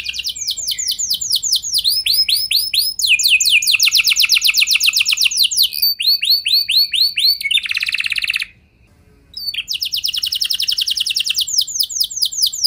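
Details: Canary song used as a lure to prompt other canaries to sing in long rolls: a fast, continuous series of rapid repeated-note trills that switch phrase every one to two seconds, a lower buzzy trill, a brief silence, then trilling resumes.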